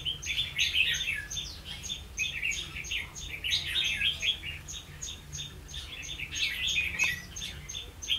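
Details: Trapping decoy red-whiskered bulbul, recorded 16 October 2016: lively warbled chirps clustered in several bursts, over a quick, steady high ticking pulse.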